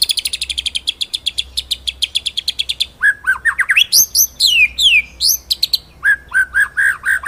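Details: White-rumped shama master song for training other birds: a fast high rattling trill that gives way to loud varied whistles, some sliding down, others rising, then a run of clipped notes.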